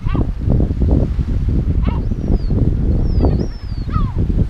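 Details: A yellow-legged gull defending its breeding colony on the Illas Estelas, Nigrán, Galicia, gives short, harsh, falling alarm calls about every two seconds over heavy wind rumble, with faint high thin whistles between.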